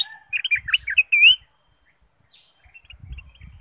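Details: Bulbul used as a lure to prompt other caged birds to sing: a quick run of loud, clear whistled notes, some sliding up, ending in one longer bright whistle, then near silence with faint low rumbling.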